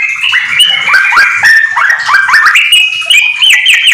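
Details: Yellow-vented bulbul singing rapid ropel song with magpie-robin phrases, a master for training home bulbuls: many short downslurred and upslurred whistled notes in quick succession, rising in pitch near the end, with a low hum beneath.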